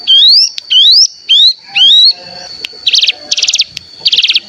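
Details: Bar-winged prinia lure sound for prompting song: four long rising whistled slurs, followed by three short dense buzzy trills at high pitch, over a faint constant whistle.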